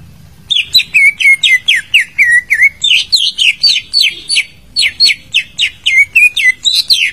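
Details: Greater green leafbird song used to prompt a silent bird to sing: rapid run of bright, slurred whistled notes, many dropping sharply, delivered about four per second in two long bursts with a brief pause between.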